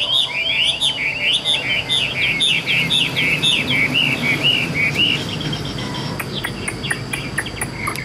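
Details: Caged Chinese hwamei sings a rapid string of short, bouncing whistled notes, about two per second, then softer twitters over a noisy background with faint ticking.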